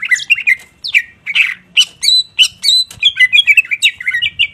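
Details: A greater green leafbird sings vigorously, letting out its song bursts as separate short phrases of downslurred whistles and squawky notes, then quickening near the end into a rapid string of bright, rolling chirps.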